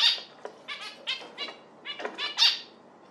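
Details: Zebra finch chattering with a quick series of short, bright, nasal honks, about eight in three seconds, the first and last notes loudest.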